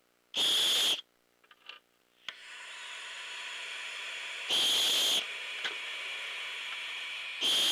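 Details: Owl giving long, loud defensive hisses while owlets wait at night for prey to be delivered; three broad, harsh hissing bursts under a second each, with a steady high owlet hiss running between them.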